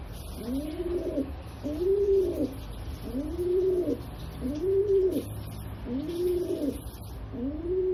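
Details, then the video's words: Cooing rock pigeon repeating arched, throaty coos about once a second, six similar phrases in a steady rhythm, each rising then falling, with a faint background hiss. "Rock Pigeon Sound"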